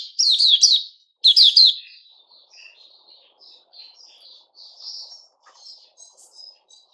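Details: White-rumped shama, known locally as Puteh Raja, recorded on 29 August 2021: two loud, rich, rapidly warbled phrases open, followed by a run of soft, high twittering notes with short pauses between them.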